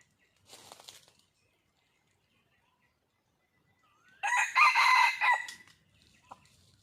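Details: Red junglefowl in the wild calling for a mate, described as a hen seeking a male: a faint rustle, a long silence, then one loud, raspy, multi-part crow ending in a short trailing note.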